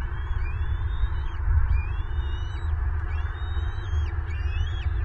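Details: Bald eagle nest in Southwest Florida, late February 2023: a feeding adult suddenly angry at its two eaglets. Four similar high, piping, slightly descending whistled phrases about a second apart over a low, steady rumble.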